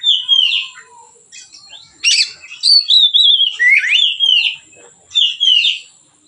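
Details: Relaxed song of a white-rumped shama used to tutor other birds: rich whistled phrases rising and falling, a brief harsh note, and looping warbled notes repeated about four times a second.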